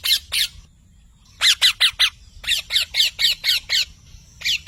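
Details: Parrot giving rapid runs of short, harsh, high-pitched squawks in clusters of three to eight notes separated by brief pauses, with a faint steady whistle in the background.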